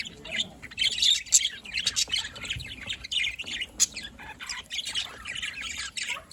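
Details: Budgerigars chirping and squawking: a busy stream of squeaky warbled chirps and harsh short squawks, nearly continuous, over faint background noise.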